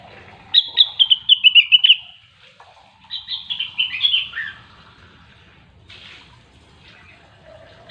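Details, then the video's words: Grey-cheeked bulbul, called cucak wilis or rengganis, in the prized 'gacor' singing style: a quick run of bright whistled notes descending slightly, then a warbled, slurred phrase, with scattered soft chirps after a pause. "Rengganis/Cucak Wilis Gacor"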